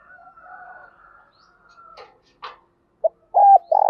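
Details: Spotted dove lure calls, male and female, used to stimulate kept doves: faint soft notes and clicks, then a loud low coo phrase at the end, a short note followed by a long rolling coo and a falling note.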